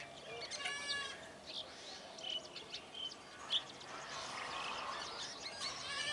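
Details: Busy chatter from a flock of Brahminy starlings: a buzzy harmonic note at the start, then scattered short whistles and squeaky chirps overlapping throughout.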